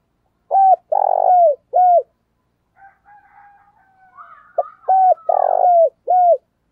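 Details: Spotted dove decoy cooing to make wild doves call: a short note, a long buzzy coo and a clipped final note, then faint far-off dove calls, then the same three-part phrase again.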